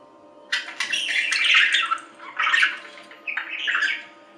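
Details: Budgerigar calls: three rasping, warbled bursts of chatter separated by short gaps, with a faint constant hum in the background.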